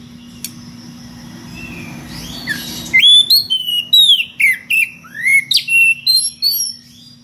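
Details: Magpie-robin calling a rival with unusual variations: after a quiet start, a lively series of loud whistled slurs, many sweeping downward, rings out at roughly two per second over a low hum.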